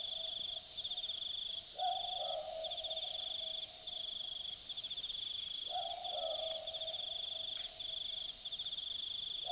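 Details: Australian boobook giving its typical two-note boo-book call at night in the Aussie bush at Dharug. Low hooted double notes repeat about every four seconds over a steady, pulsing chorus of high night insects.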